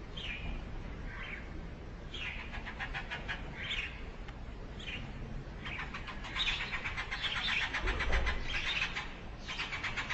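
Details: Eurasian tree sparrows at a nest in a hole in a brick house wall, where the parent brings food to its chicks: sharp chirps give way to rapid, buzzy pulsed begging calls, with low traffic-like rumble beneath.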